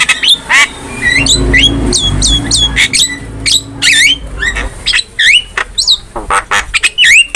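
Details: Javan myna kept as a cage bird, chattering for a training recording: repeated rising whistled notes and harsh squawks in quick succession, some low hum in the background.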